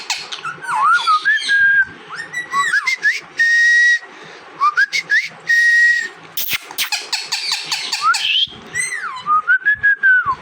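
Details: Pet parrot vocalising indoors with a run of clear whistles that slide up and down, broken by short chirps, sharp clicks and pauses, while a person nearby keeps calling to it.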